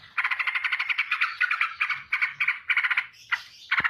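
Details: Straw-headed bulbul singing in rapid ropel style while flapping its wings: harsh, buzzy pulsed bursts in a quick run, separated by short gaps, closing with a rising swept note and a sharp click.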